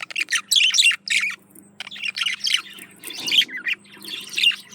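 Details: Male budgerigar courting a female, delivering a rapid chattering warble of scratchy, buzzy chirps in dense bursts, with brief gaps near the one-second mark and a faint steady hum underneath.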